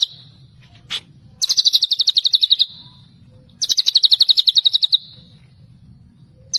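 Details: White-rumped shama singing in the tembakan celilin style: two fast, rapidly pulsed trills, each about a second long, starting high and easing slightly downward, separated by pauses. A low hum runs underneath.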